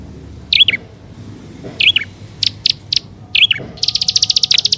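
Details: Prinia calls from a lure recording (prenjak alang-alang with upper and lower prenjak): short buzzy swooping bursts in sparse groups, then a quick run of evenly spaced clicky chips at the end.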